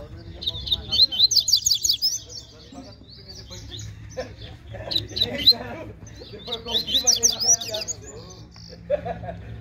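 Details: Double-collared seedeater singing in competition at a bird gathering, a fast, spirited singer: three bursts of rapid high twittered notes, each about a second long, over low rumbling noise and murmuring voices.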